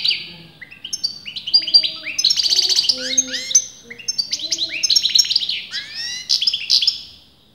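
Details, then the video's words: European goldfinch kept in a cage, its sex debated by breeders, singing an unbroken stream of fast twittering and buzzy trilled notes mixed with downward-sliding whistles. "غناء متواصل لمقنين"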